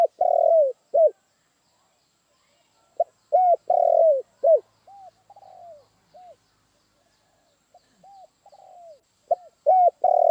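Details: Two spotted doves calling. The louder bird repeats phrases of clipped notes and long rolling downward coos, while a fainter bird answers with soft arched coos between its phrases.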